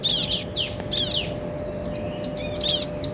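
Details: Male and female bar-winged prinias calling back and forth: three slurred descending high notes, then a quicker series of bright arched chips, all high-pitched above a constant low hum.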